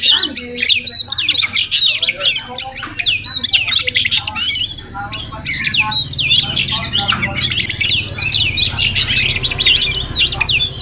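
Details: Wild Oriental magpie-robin (Murai Kampung) visiting a home every morning, possibly nesting nearby; a dense, varied run of loud whistles, slurred squawks and sharp chirps, almost continuous, over a faint low hum.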